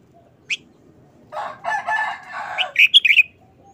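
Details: Caged red-whiskered bulbul showing a brief, rapid wild-style phrase: a single sharp note, a long harsh rasping burst from another source, then a quick cluster of clear chirpy whistles.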